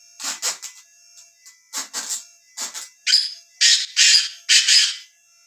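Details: Black francolin (kala teetar) call sounded from a tora calling machine: loud, harsh rasping bursts in short clusters with brief gaps, the final phrases fuller and louder, against a silent background.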